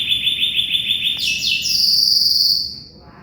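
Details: Vigorous canary song for tutoring a magpie-robin: a fast, even trill of high repeated notes, then a sustained, shrill buzzy note that fades out.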